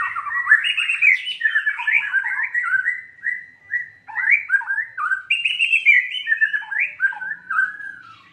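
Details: Lure recording of a white-rumped shama, meant to provoke a reluctant caged bird into full song: a continuous stream of loud, fluid whistles and warbles, rapid up-and-down slurred notes strung into long phrases with brief pauses, clean background.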